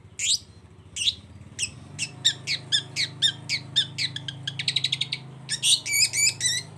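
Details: Long-tailed shrike singing to spur silent shrikes to respond: a steady series of harsh, squawking notes about four per second, speeding into a brief rattle, over a constant low hum.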